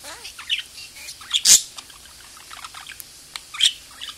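A budgerigar chatters in quick, high, scratchy chirps and warbles, with two sharp louder squeaks standing out among the softer babble.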